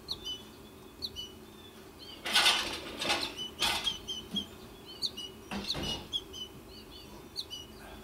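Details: Fledgling American goldfinches, two chicks left in the nest tree, give thin, high chirps repeated rapidly as the mother feeds one, broken by a few loud bursts of rustling or wing flutter.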